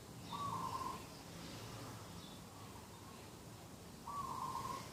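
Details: Garden dove calling in the morning on 2 October 2021, two brief steady mid-pitched coos about four seconds apart, with faint distant bird chirps behind.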